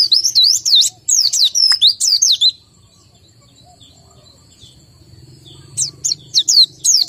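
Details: White-eye said to be low in breeding condition gives a quick series of high downslurred whistles, pauses over a faint hum and a thin steady tone, then restarts with sharp notes.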